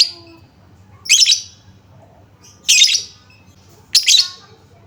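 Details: Lovebird lure sound used to prompt other lovebirds to sing: three loud, harsh, high chattering bursts about every one and a half seconds, with quiet gaps between.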